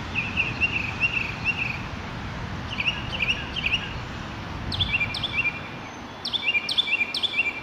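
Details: Active mockingbird singing in the rain, filmed on a Sony a6700 with a 200-600 lens: a whistled phrase repeated four times, then varied phrases, then sharp high downslurred notes repeated in quick threes over steady rain hiss.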